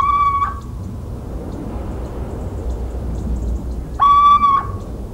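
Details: Little owl in countryside of central France, 17 March 2019: a clear, drawn-out mewing whistle, slightly rising then falling, given once at the start and again about four seconds later, over a quiet low background rumble.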